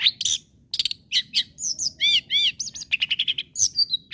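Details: Long-tailed shrike in varied, lively song meant to provoke other shrikes into continued singing: scratchy chatter, arched whistled notes rising and falling, then a quick run of repeated rasping notes.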